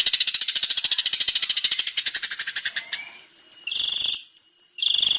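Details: Long-tailed shrike male shifting from a fast rasping chatter into quieter notes, then loud, strident buzzy bursts with short high whistles between them.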